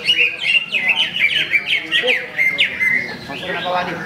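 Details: At a Ramadan practice singing contest in Sungai Batang Jawai, the first-place greater green leafbird gives a fast run of sharp, downslurred chirps and whistles, repeated several times a second, with other birds in the background.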